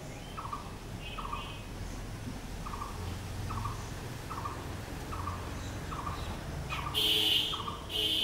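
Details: Blue-throated barbet (bosonto bouri) delivering a steady chain of short mid-pitched notes, roughly one per second, before a loud high-pitched burst from another bird near the end over a low rumbling background.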